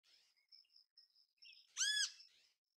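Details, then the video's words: ['Great kiskadee in natural habitat: one loud, harsh, downward-arched squawk after soft twittering and a steady thin high tone.'] "Grande Canção Kiskadee! Grande Canto Kiskadee! Ótimos sons de Kiskadee! Grande Chamada Kiskadee!"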